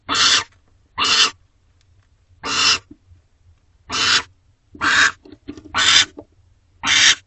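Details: Barn owls at a nest box, 5:21 am, 29 March 2025: a pair returns, the male bringing a rodent for the hungry female before mating; a barn owl gives harsh, breathy hissing screeches, each about half a second, repeated every second or so.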